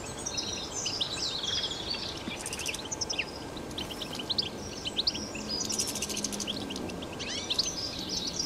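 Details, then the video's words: Wild European goldfinch singing in nature: busy, high twittering runs and sliding chirps, with buzzy insect-like rattles in places and a background hiss. "تغريد , طائر الحسون بتبته , الخلوي طائر الحسون في الطبيعة"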